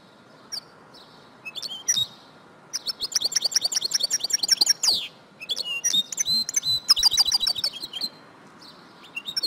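Female European goldfinch giving bright, tinkling twitters and liquid chirps in quick irregular bursts, high-pitched, with brief pauses between runs.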